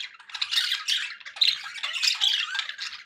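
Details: Several pet budgies chattering indoors, a steady stream of harsh squawks and warbling buzzy notes with brief whistled peaks, no pauses.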